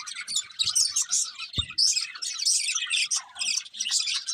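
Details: Eating budgies sing a continuous high warbling chatter of overlapping chirps, with one sharp knock near the middle.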